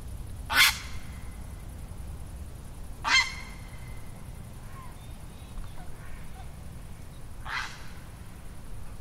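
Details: Western cattle egret in Cyprus gives three short, harsh, raspy croaks at uneven intervals over a steady low rumble of background noise.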